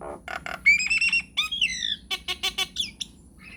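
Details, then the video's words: Nias hill myna singing prolifically in long rolling phrases: harsh squawks, then clear whistled notes and downward slurs, ending in a quick series of loud, piping, evenly spaced calls. "JALAK NIAS GACOR NGEROLL PANJANG"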